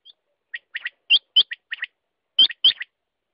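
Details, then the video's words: Quail uttering about a dozen crisp, high chirps, single or in pairs, with louder hooked notes standing out among softer ones over roughly three seconds. "Batair ka awaz"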